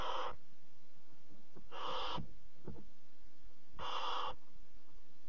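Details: Barn owls at a nest box at 3:00 at night on 26 July 2017, as the mother brings a bird as prey to the fourth chick: three harsh, hissing screeches about two seconds apart, with faint clicks and rustles between them.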